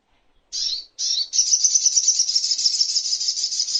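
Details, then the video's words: Crimson sunbird (sogok ontong) in a master song recording for training songbirds: two brief high buzzy bursts, then a long sustained very high rapid twittering trill. "Masteran Songon(Burung Sogok Ontong)"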